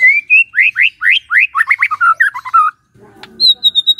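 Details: Morning White-rumped shama song used to prompt a quiet shama: a series of loud rising whistled slurs, fast twittering notes, then high thin repeated notes after a short break.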